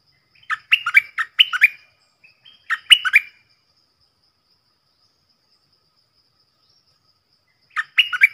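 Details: Stripe-throated bulbul decoy bird, recorded loud and clear in a doubled song style to teach young birds and attract wild birds. Several quick bubbly warbled phrases come close together, then a long pause before one more.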